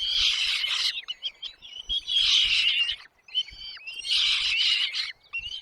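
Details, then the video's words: Nestlings fed by their mother and father: three loud raspy begging bursts, each about a second, alternating with brief clear whistles and chirps, on a quiet background. "mom dad birds brings food to feed their chicks in the nest"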